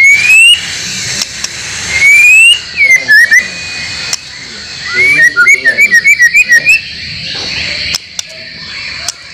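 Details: White-rumped shama (murai batu) song used to train caged birds; two long rising whistles, then a quick cluster of notes and a fast string of short, repeated whistled notes over steady hiss.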